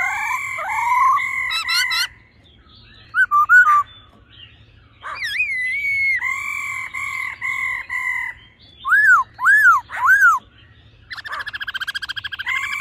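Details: Female laughingthrush churring with a male singing in a mature, wild-style voice: long steady whistles break into sharp slurred notes, then more held whistles, three loud arching notes and a buzzy, rapidly pulsed trill at the close.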